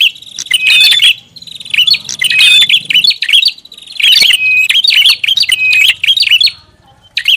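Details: Noisy prinia lure call. Wavering, twittering phrases with clicky edges come in uneven groups, followed by a short pause near the end. A quiet low drone is present.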